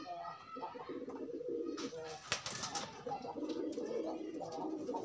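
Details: Pigeons pairing up unconfined, giving steady low rolling coos, interrupted mid-way by a burst of rustling noise and a sharp knock.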